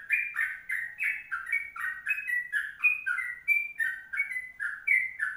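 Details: Sooty-headed bulbul in a long, vigorous rapid-run 'kongslet' song for tutoring: a flowing string of short fluty whistles, slurred and jumping between two or three pitches, less evenly spaced, with a few higher sustained notes. Nothing else audible.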